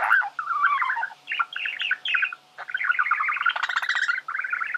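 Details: Budgerigar male singing, intended to teach birds to sing: a steady, almost unbroken chattering warble of rapid squeaky and buzzy notes, with a brief pause after the first second and a half.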